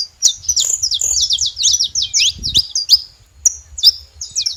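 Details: Saffron finch making noise at a feeding spot: a dense run of sharp, high chirps and short slurred notes in quick succession, then a pause and a few scattered chirps.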